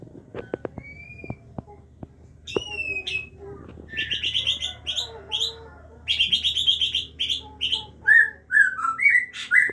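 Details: Captive-bred Aceh white-rumped shama, a parent feeding its chicks. Soft clicks and a few thin whistles open, then from four seconds rapid bursts of high, sharp chirps come in dense clusters, ending with short descending whistled notes.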